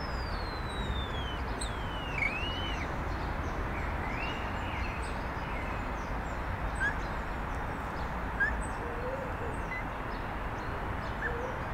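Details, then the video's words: Starling perched with its flock on a branch in the evening: slurred whistles gliding downward, then a few brief rising notes, sparse across the clip against constant low background noise. "evening starling – stretching and chatting with friends"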